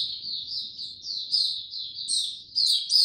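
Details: Slow, easy song of an Oriental white-eye: a steady thread of high, slurred warbling notes, growing brighter and busier in the last second.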